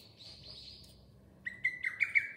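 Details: Lesser cuckoo giving a short burst of clear whistled notes stepping downward, preceded by a faint high hiss, with quiet low background hum.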